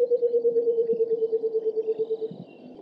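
White-browed coucal giving a fast, bubbling run of about twenty low, hollow hoots over two seconds, dropping slightly in pitch; faint thin bird notes behind.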